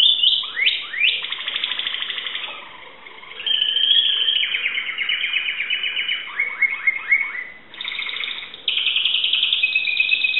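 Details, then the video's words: Greek Timbrado canary, recorded 2009, in continuous song: rising whistled sweeps flowing into long rolling trills, a series of quick descending chirps, then more sustained high trilled phrases. "greek canary timbrado singing song"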